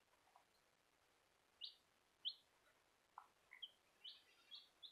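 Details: Bielefelder baby chicks; thin, high, short peeps scattered irregularly, about eight over five seconds and bunching toward the end, heard faintly over a steady background hiss.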